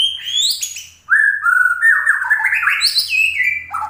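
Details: White-rumped shama in loud, varied song: clear sliding whistles and rich warbled notes that climb and fall, with fast trilled bursts and a faint low hum beneath.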